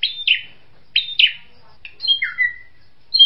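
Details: Drongo gives two pairs of sharp downslurred notes, then clear high whistles and a long falling slurred whistle, in a quiet setting.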